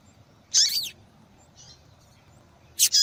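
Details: A female double-collared seedeater calls repeatedly to rouse male singing: a longer, sliding, buzzy high chirp, a faint soft note after it, then another doubled chirp near the end.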